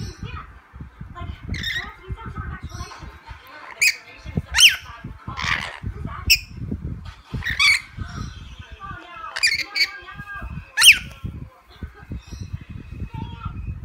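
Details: Playing lorikeet making a busy run of harsh squawks and sharp chirps, irregularly spaced over about fourteen seconds, with low rustling and tapping sounds throughout.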